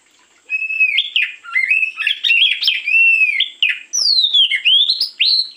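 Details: Kacer, the oriental magpie-robin, singing in the morning as a lure: a continuous stream of loud whistled phrases, rising and falling slurs mixed with fast chattering notes, ending in long downward-swooping whistles.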